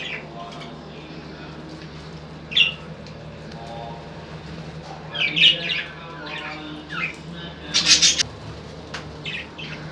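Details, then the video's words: Lovebirds giving short harsh squawks, scattered singly and in a brief cluster near the end, over a steady low background hum. "طيور الحب"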